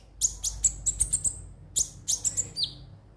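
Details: Konin (ruby-cheeked sunbird) song, used as a lure to get birds singing daily: quick bursts of very high, sharp chirps in two rapid series, ending with a short downslurred whistle; quiet background.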